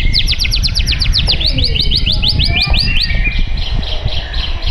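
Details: Caged white-rumped shama, Tangerang Selatan, Indonesia, pouring out a fast string of high, sharp downslurred notes, then softer scattered chirps, with a rumbling low background noise throughout.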